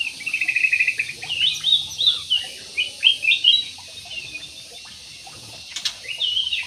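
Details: Big budgerigars kept in an aviary twittering in short, rhythmic bursts of high chirps, with a quiet pause before the chatter resumes.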